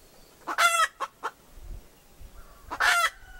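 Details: A hen utters two loud, rasping drawn-out squawks separated by a pair of short clucks, with a quiet pause and faint low thumps between them.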